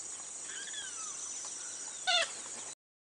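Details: Purple gallinule (Porphyrio martinicus) call: a few faint, falling whistled notes, then one loud, brief, nasal, harmonic-rich note, over a steady high-pitched insect hiss.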